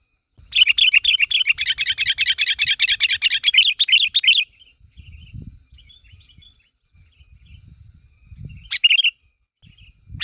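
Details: Sooty-headed bulbul calling to make others reply: a long, fast, even trill of repeated chirping notes for about four seconds, then soft low knocks and one brief chirp burst.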